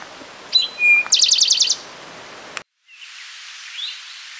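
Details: An Eastern towhee sings at Rondeau Park, June 2013: two clear introductory notes followed by a fast, buzzy trill of about seven repeated notes, against a soft hiss.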